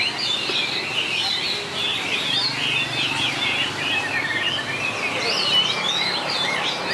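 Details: Contest-singing white-rumped shama, 2019, noted for long voice changes: a dense stream of bright, rapidly shifting whistles and twittering notes, continuous for the whole stretch, with a low steady hum underneath.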